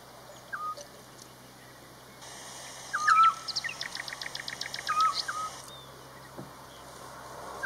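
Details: Eurasian scops owl calls: brief, plain whistled notes spaced roughly two seconds apart, overlapped midway by a burst of rapid, high twittering from other birds against a faint steady hiss.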